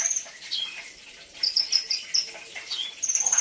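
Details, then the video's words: Brown-throated sunbird song used as premium training material: thin, very high trills and sharp chips, a burst at the start, scattered notes in the middle, then a fast run of rapid ticks at the end. "isian mewah Kolibri ninja"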